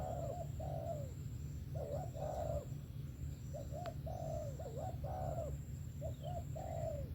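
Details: Good-voiced 'sấm thổ' spotted dove giving repeated coo phrases, each a quick pair of bent notes then a drawn-out, downward-curving croo, several phrases in a row over constant low humming background noise and a faint click.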